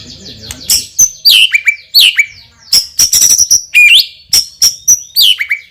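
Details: Loud-voiced champion white-rumped shama delivering a richly filled song of high, piercing whistles, downslurred notes and brief rattling bursts, phrases tumbling one after another with barely a pause.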